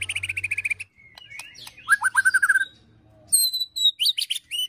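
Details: Ketrekan song of an agitated white-rumped shama with cililin and prenjak fill-ins, used for bird training: fast buzzy trill, a run of descending whistled notes, then high sharp whistles and slurs.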